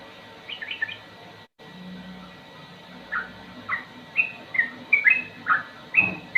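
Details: Sooty-headed bulbul, slow song style with ropel phrases: scattered short bubbly whistles over a low background hum, quickening toward the end.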